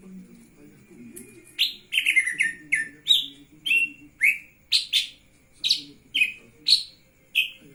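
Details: Lesser green leafbird singing energetically while spreading its wings. It gives a brisk series of bright chirps and short slurred notes, roughly two per second, with faint low murmuring in the background.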